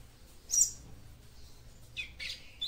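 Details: Short chirps from a female papa-capim seedeater, calling to stimulate the male: one sharp high chirp near the start, then two quick chirps toward the end, over a faint low hum.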